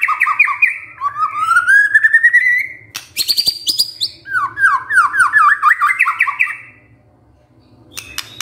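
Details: White-rumped shama song meant to provoke a male into singing: a long rising trilled whistle, harsh rattling notes, then a rapid run of falling-rising slurs before a brief silence.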